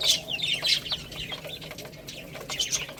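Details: Small chicks eating rice utter clear, high, downward-slurring peeps in quick pairs and runs, with short pauses between bursts and quiet clicks in the background.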